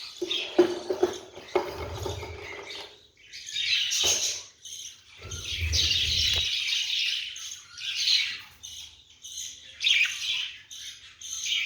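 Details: A female budgerigar and her newly hatched chicks in a wooden nest box give raspy, high chattering squawks in rapid bursts, with a few dull knocks.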